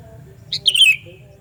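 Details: Loud, sharp Sooty-headed bulbul call for luring bulbuls, a two-part phrase: a quick high note and a clear whistle slurring down, heard over steady low-pitched hum.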